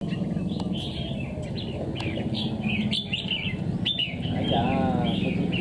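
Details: A wild-caught red-whiskered bulbul, ten days in a cage, gives short chirpy warbled notes at mid-high pitch in quick uneven bursts, over a heavy low rumble and background noise.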